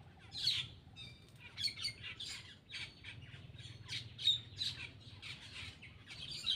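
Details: A feeding black-winged myna delivers loud, grating squawks mixed with brief whistled accents, bursts coming roughly every half second with short gaps, over faint low hum.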